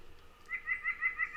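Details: Nuthatch song in early spring, northeast Ohio: a quick series of about six nasal, reedy notes, rich in overtones, about six per second, in an otherwise quiet background.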